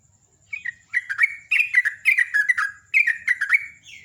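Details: Sooty-headed bulbul singing in the morning in ngecruk style: bursts of short, bubbly, slurred whistled notes falling and rising, in three quick phrases with brief pauses, a faint steady high hiss throughout.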